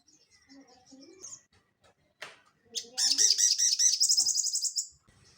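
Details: Crested jay singing actively in the rattling ngeleper style, recorded as training audio for cage birds: faint scattered chirps, a sharp noise burst, then a loud, fast, buzzy rattling trill of rapid looped notes lasting about two seconds.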